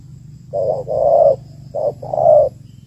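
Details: Female spotted dove calling to stimulate males, used as a lure for trapping: a short low coo followed by a longer, rolling coo, the pair repeated twice, with a steady low hum underneath.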